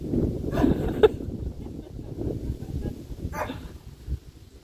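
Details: A Moluccan cockatoo named Max barks at a neighbour's dog he spotted while out on a walk, giving a few short, rough dog-like barks over a low background rumble.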